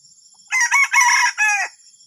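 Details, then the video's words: Junglefowl crowing loudly: a harsh, ringing call of four linked segments lasting just over a second, the middle two running almost together and the last slightly falling, over a steady high insect buzz. "AYAM HUTAN SUARA ANEH PENGGANGGU"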